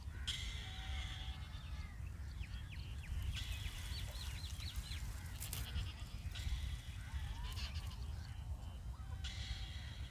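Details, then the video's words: Indian robin chicks begging as they are fed in the nest: repeated harsh, noisy bursts with clipped, rising chirps, loudest near the start, middle and end, over a steady low rumble. "Feeding Hungry Chicks in The Nest| Indian Robin Bird Feeds Chickss"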